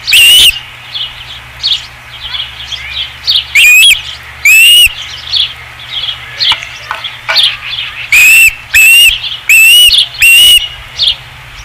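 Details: Osprey calling from the nest, 5 August 2016, a series of loud, clear whistles, slightly rising and ringing, spaced irregularly among quieter, rapid chirps.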